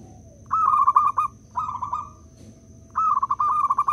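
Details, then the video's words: A gacor local zebra dove lure call meant to prompt other doves to sing. Three rolling, rapidly pulsed coo phrases of nearly a second each are separated by short pauses, with a low background hum and a thin constant high tone. "Pekrutut lokal jadi cepat manggung dengar perkutut ini bunyi (PERKUTUT PIKAT)"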